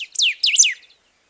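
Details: A golden-billed saltator (Saltator aurantiirostris) of forests and savannas gives its repeated "bich..bich..bichío" whistle, a short phrase of three or four loud, sweeping whistles that slide down and swoop back up, in under a second.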